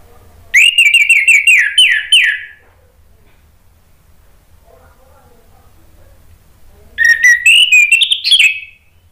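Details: Orange-headed thrush singing as a lure recording for birds that have stopped singing: a dense, buzzy run of fast repeated whistled notes lasting about two seconds, a long pause, then another varied burst ending on a rising phrase.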